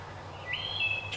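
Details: A Wood Thrush calls in about 100-year-old forest in early afternoon, a clear whistled phrase that rises and holds steady, ending in a brief buzzy burst, over a low outdoor hum.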